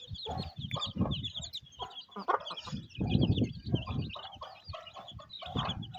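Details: Hen tending and feeding her young chicks in the rain, village life in Pakistan; soft repeated clucking over a rumbling low background, with a steady chorus of high chick cheeps.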